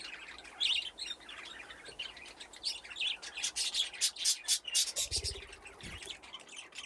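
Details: Several budgerigars in an aviary with nesting boxes, playing; dense overlapping high chirps and warbling chatter, building to a loud burst of rapid sharp notes midway, with a couple of low thumps.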